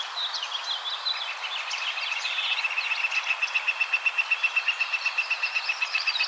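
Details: Tree swallow in the Cincinnati, Ohio area: a burst of liquid, twittering chirps, then a steady run of clipped high notes, about four per second, over faint background hiss.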